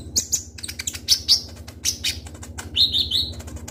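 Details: Ruby-cheeked sunbird known as konin, singing actively with sharp shots: irregular high chips and squeaky notes, then a short run of fast warbled notes near the end, constant low hum in the background.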